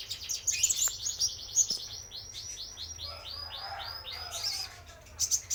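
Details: Male spotted sunbird song used as a lure: high sweet twitters followed by a steady run of about a dozen quick, evenly spaced descending slurred notes, then more bright twittering.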